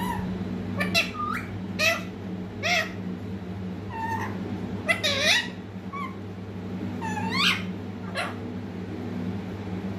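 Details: Young green pet parrot uttering brief harsh squeaks and curved swooping notes at irregular intervals, some quick doubled, over a constant low hum.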